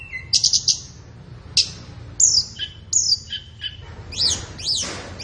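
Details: Tutor recording of flowerpecker song for caged birds, meant for morning or afternoon training: sharp high ticks in a quick cluster, then spaced descending thin notes and a few steep chevron-shaped squeaks.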